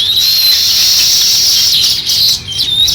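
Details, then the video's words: Sparrows chirping while starting a nest: a brief, unbroken wash of high chirping that eases and breaks into a few separate chirps at the end. "Sparrow Chirping Sounds | Sparrow start to Build Nest"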